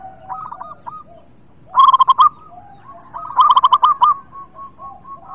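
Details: Singing local zebra dove, played to prompt reluctant birds to sing: two loud bursts of fast, repeated cooing notes, the second longer, over a chorus of quieter doves cooing nearby.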